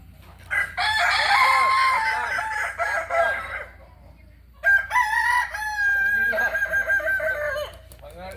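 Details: Two long crows from a Kokok Balenggek rooster, native to Solok in West Sumatra: each about three seconds of stacked, slightly wavering tones broken into many syllables, separated by a short quiet gap.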